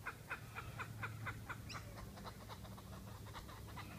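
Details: Kookaburra chicks begging as an adult brings a caught lizard to feed them, Noosa, Sunshine Coast, Queensland, Australia: rapid harsh squawking pulses, about two per second then quicker, over a steady low hum.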